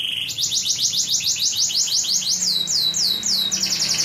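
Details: Canary singing nonstop in the ngacor style: a steady whistle, then rapid rising notes repeated about three times a second, turning into slurred downward notes, all high-pitched and bright.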